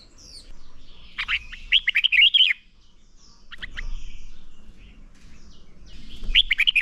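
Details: Red-whiskered bulbul competition-training song: a quick phrase of about six clear, rolling whistled notes, a few brief notes later, and another lively burst at the end over a low background hum.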